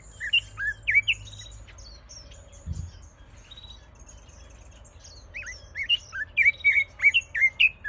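Red-billed leiothrix song: bright, fast whistled phrases of rising and falling notes, with a pause midway and other high chirps around it.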